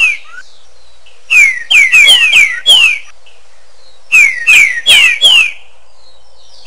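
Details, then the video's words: Green-winged saltator giving its song with echo in two rapid phrases of clear, falling whistles, each note ringing briefly afterwards. "TRINCA FERRO, (CANTO COM ECO)"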